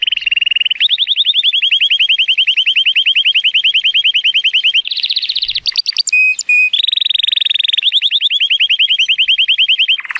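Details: Male Timbrado Español canary, born 2018 and rated 83 points, singing powerfully on a sunny day: long rapid rolled trills near the mid-high range, a brief break of sharp metallic notes, then more steady trills.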